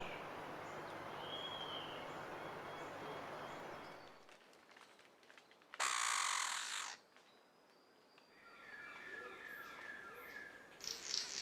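King-of-Saxony bird-of-paradise giving a loud, hissing, static-like buzz for about a second, then a shorter burst, over steady forest hiss and faint twittering.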